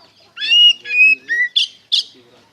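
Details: White-rumped shama lure song: a few loud slurred whistled phrases, upslurred and level, followed by two harsh buzzy notes, with faint low tones beneath.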